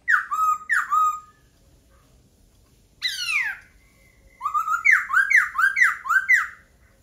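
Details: Laughingthrush giving paired whistled downslurs, a harsh descending rasp, then a quick tumbling series of about eight rising-and-falling whistled notes in a lively rhythm.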